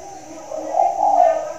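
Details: Spotted dove cooing from a hanging cage during the rainy season: one drawn-out, mellow, hollow coo that swells and holds steady.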